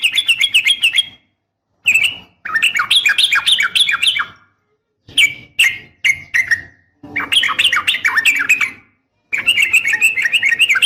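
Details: Rapid fighting-style song of a female sooty-headed bulbul calling a male: lively bursts of chattering, up-and-down notes alternate with separate clipped whistles and short silent gaps.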